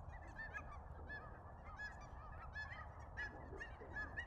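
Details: Flocks of cackling geese landing at Billy Frank Nisqually National Wildlife Refuge in February 2023, recorded on a Sony RX10 IV; many short, high, nasal honks and yelps overlap continuously, some clearer calls standing out above a low rumble.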